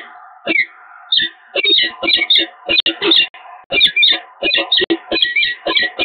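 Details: Peregrine falcons at the Evoluon in Eindhoven, 7 March 2022, give harsh, rasping calls in quick chattering bursts, broken by a few drawn-out wailing notes, almost without pause.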